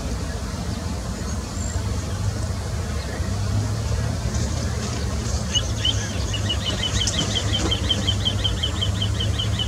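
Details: Little ringed plover at Landje van Geijsel, 19 April 2018, giving a quick run of high, thin piping notes, about three per second, over a steady low rumble of traffic.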